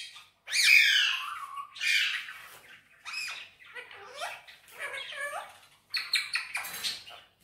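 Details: Green Indian ringneck parakeet, a pet bird, vocalizing indoors with a mix of squawky, speech-like syllables and whistled notes, bright high bursts separated by short pauses, irregular rhythm.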